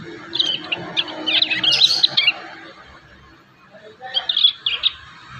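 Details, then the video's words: Two bursts of high, scratchy twittering from juvenile prinias still learning their song, the second shorter, with a quiet gap between. "MASTERAN PRENJAK PAUD ALAMI"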